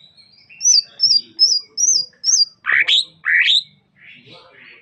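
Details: Greater green leafbird of the Sukamade type from Banyuwangi, East Java, singing five sharp whistled notes that slur downward, then two loud harsh rising notes, then a softer buzzy phrase.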